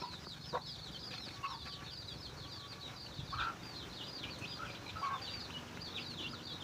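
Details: Chicken and chicks during feeding: continuous high downslurred chick peeps, with a handful of short, low hen clucks and a faint flutter.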